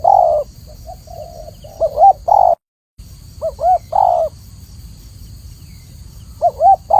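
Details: Spotted dove song with wavering rising-falling notes leading into longer steady coos, phrases repeated with gaps and a brief silent break midway, over a faint background hum.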